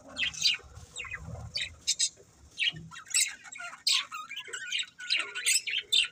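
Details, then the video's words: Budgies chattering with rapid, harsh squawks and high chirps in quick irregular bursts, several notes overlapping, and a few low thumps underneath. "Beautiful Budgies Chirping Sounds"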